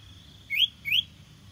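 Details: Common iora song used as a decoy to lure birds: two clear rising whistled notes, each sweeping upward about a third of a second apart, over a faint steady high tone and low background hum.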